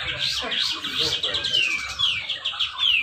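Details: Contest cucak jenggot, the grey-cheeked bulbul, in Malinau, North Kalimantan, delivering tight besetan rapet song meant to lure reluctant birds into singing: busy chattering trills topped by bright downward whistled sweeps.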